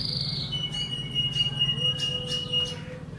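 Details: Male canary ready for breeding, kept as a hobby bird in Indonesia, sings a long level whistled note with high chips layered over it and a low steady tone beneath, over a low background hum.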